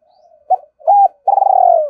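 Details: Spotted dove used as a decoy, cooing in the two-ending calling style: a faint lead-in hum, a short note, a steady flat coo, then a long vibrating coo tailing downward.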